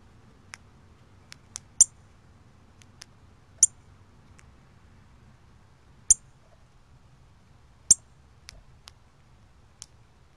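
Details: Cardinal recorded October 24, 2020, giving sharp, high metallic chip notes, about four strong ones spaced one to three seconds apart with fainter ticks in between, over a quiet low background hum.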